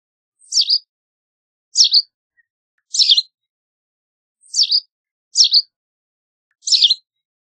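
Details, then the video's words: White wagtail calling: sharp, high, two-part chirps falling in pitch, given six times at uneven intervals of about one to one and a half seconds against a silent background. "White Wagtail Song! White Wagtail Call! White Wagtail Sound- Lavandera Blanca Canto - Motacilla Alba"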